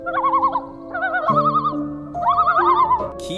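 A loon gives quavering, yodel-like wavering calls in repeated bursts about a second long, over a steady background of droning musical tones.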